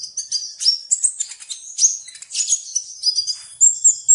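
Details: Shrill, continuous sunbird twittering: fast jumbled high chips and squeaks with short whistled slurs, almost no pauses, finishing on thin high notes.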